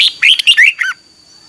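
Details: Red-whiskered bulbul morning song in the "ché" style, used to train and stimulate other bulbuls: one short bright phrase of four or five quick warbled notes, ending abruptly, with a thin steady high tone behind.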